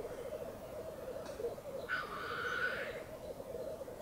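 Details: Black Grouse lek at dawn on a cold, calm bog, several males displaying near a hide: low rhythmic bubbling runs throughout, with one loud, drawn-out hissing sneeze in the middle.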